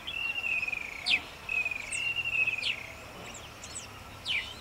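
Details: Nubian woodpecker in Bahir Dar, Ethiopia, recorded June 18, 2021: drawn-out, level whistled notes that drop sharply at the end, repeated in a loose series, with other thin chirps in the background.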